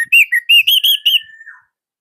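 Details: Orange-headed thrush from Indonesia in loud, tight song used to coax other thrushes into singing; a quick series of clear, bright whistled notes ending in a long, thin level whistle fading out.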